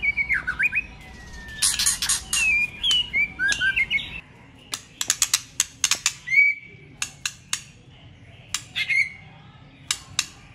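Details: White-rumped shama, many-voiced song used to excite competing birds: short whistled slurs and warbles mixed with loud rasping broadband bursts and dry clicking notes, against a low background hum.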